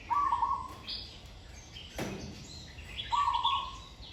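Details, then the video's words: Zebra dove in training, singing with good phrasing: two stuttered coo phrases about three seconds apart, with a sharp click between them and scattered high chirps from other birds. "นกเขาชวาฝึกต่อ เสียงเพราะๆ เดินกลอนดีๆ"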